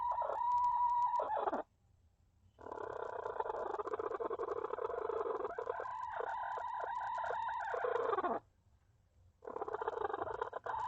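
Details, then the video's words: A hen in a coop fussing at another hen that is trying to lay an egg, captured by a camera inside the coop; long, loud, raspy calls with a steady nasal tone, broken by two short silences. "Funny Chickens sounds"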